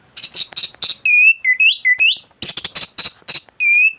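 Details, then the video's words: Thrush song from a master recording to tutor birds: loud bursts of sharp chirps alternate with clear, rising and falling whistled notes, then more chirps and a final whistle. "Anis gacor teler isian komplit materi masteran burung anis pancingan bunyi"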